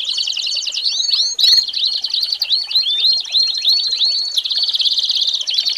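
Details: An American singer canary sings a tutor song meant for teaching young birds. Rapid arching whistles repeat over a rolling trill, with a brief sharp burst early on and a dense, even trill near the end.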